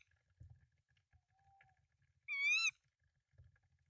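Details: Tawny owl at a nest with three eggs, Denmark, 24 March 2024, male bringing rodents to the female, giving one sharp, nasal, slightly wavering note under half a second, with faint knocks and shuffling around it.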